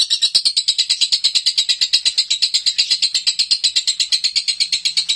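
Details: Nonstop konslet song of a home-kept lovebird: a steady, fast stream of bright, harsh chattering notes, roughly three per second, loud and unbroken for the whole stretch.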